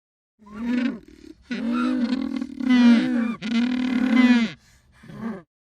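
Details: Loud braying penguin call: a short opening note, then two long, raucous, harmonic-rich blasts and a brief final note, with no other sounds.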